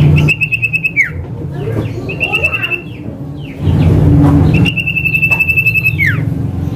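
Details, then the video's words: Male Common Iora calling in the 'manggil nama' style, used as a lure and a tutor recording: three long, level, vibrating whistles, each ending in a quick downward slur, with scattered chirps and steady low hum between. "PANCINGAN CIPOH SIRTU MANDEK | Burung Sirtu GACOR | Cipoh Manggil Nama"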